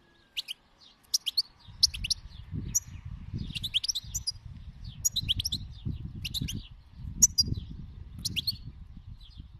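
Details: European goldfinch of the wild khalawi type in song, delivering rapid tinkling phrases of buzzy, metallic twitters roughly every second, with steady low-pitched rumbling noise underneath.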